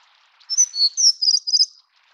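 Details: A Plumbeous Redstart (Rhyacornis fuliginosa affinis) gives a quick run of thin, very high, squeaky notes over about one second, with a slight jangling quality. No other sounds stand out.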